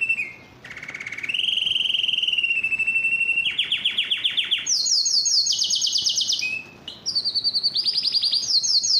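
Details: Yellow canary singing varied tours: a held whistle, rapid rolling trills at several pitches, and high buzzy trilled phrases with short pauses between.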